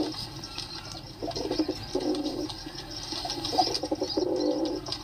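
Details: Pigeon coos in several gruff, low, purring phrases, each under a second, from about 1.5 seconds onward. Faint high twittering of other birds sits underneath.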